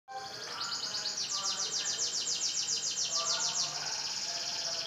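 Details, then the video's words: Caged F1 Kemayoran canary, a large-bodied bird, singing: a fast trill of repeated high notes about three to four per second, rolling on steadily above a hissy, noisy background. "Burung kenari F1 gacor"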